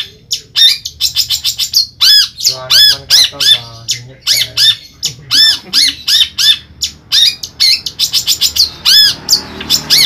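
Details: Caged Long-tailed Shrike from Ampelgading, Pemalang, Central Java, Indonesia, singing a loud, busy run of harsh squawks mixed with rapid, arched whistled notes and buzzy trills, delivered in quick bursts with short pauses throughout.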